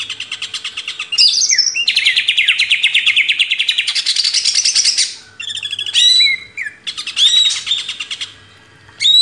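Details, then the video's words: Greater green leafbird song used as a master recording for training cage birds: loud, rapid trilled chattering bursts mixed with clear whistled slurs and sharp chips, nearly continuous with brief pauses, high-pitched throughout. "MASTERAN CUCAK IJO"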